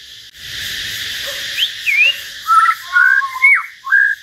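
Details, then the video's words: Common hill myna singing alongside a white-rumped shama, following a soft rustling start: clear whistled notes, some rising, some falling, in short bursts about every half second. "Chim nhồng và choè lửa hót solo"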